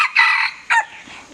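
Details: Red junglefowl calling: two harsh, harmonic bursts, a longer one of about a third of a second followed by a short clipped note, then quiet background.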